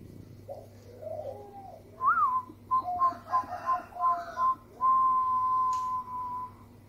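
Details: Zebra dove, Bangkok-type perkutut, melodious lure song meant to set other doves singing: a rising opening coo, a quick run of six short clipped coos, then one long steady drawn-out final note, over a low steady hum.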